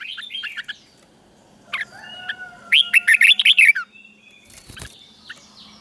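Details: Red-whiskered bulbul song from Thailand, used for caged birds to learn: a few soft warbled notes, then a loud quick chattering run of about eight notes, and a brief rustle.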